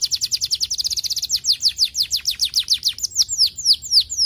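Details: Singing canary, used to get lazy canaries singing quickly: a rapid, high-pitched rattle of short downslurred notes that eases into slower, clear whistled sweeps, all at strong volume.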